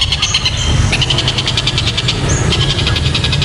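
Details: Kingfisher, known locally as tengkek buto, whose voice is described as very loud and sharp: fast, evenly repeated harsh pulsed notes over a steady deep rumbling hum throughout, with a few thin whistles from other birds.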